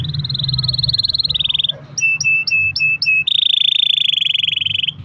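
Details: Canary in long-roll song, used to get other canaries singing: a steady buzzy roll, a few paired clipped chirps, then another long even rolling trill.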